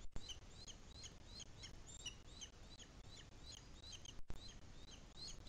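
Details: Booted Eagle nest in the Guadarrama mountains near Madrid, breeding season 2021, feeding of the chick underway: a continuous run of sharp, high twittering notes, roughly several per second, over dull low-frequency noise.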